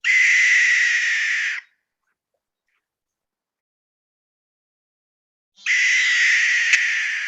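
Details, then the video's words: A barn owl in Maine gives two long, harsh, hissing ghost-like screeches, each about a second and a half, separated by four seconds of silence; Barn owl. "so you guys were just hearing the barn owl call which sounds a little bit like a screech"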